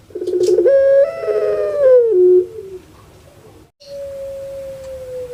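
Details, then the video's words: Captive puter pelung dove kept in Java, Indonesia, likened to a crying baby: a rough, buzzy onset swells into a long wavering tone that steps downward, then a quieter steady drawn-out note follows after a brief pause. "KAGET PARAH DENGAR SUARA BURUNG INI SEPERTI ANAK MENANGIS"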